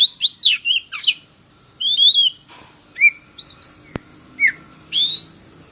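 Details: White-rumped shama song: rapid arched whistles at the start, a loud rising phrase, then scattered slurred notes and a harsh burst near the end, with a single sharp click and steady background hiss.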